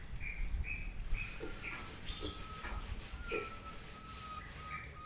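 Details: Yellow-vented bulbul, a trucukan being coaxed into song, gives short bright chirping notes at an uneven pace, about two a second, over a thin steady whistle and a heavy low rumble of background noise.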